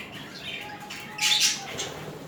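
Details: Two budgerigars mating and showing affection; a quiet scratchy chatter builds into one harsh, squawky burst before fading back into low twittering.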